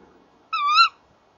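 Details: Tawny owl pair, male and female, calling together at a nest box on a camera-watched site, 30 January 2014, 19:31 in the evening; a single harmonic, slightly wavering call about a third of a second long, rising at the end, over a quiet background.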